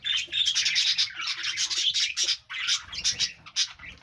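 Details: Budgerigars in a group give continuous high chattering warble, dense overlapping chirps and squeaky trills with a short break midway.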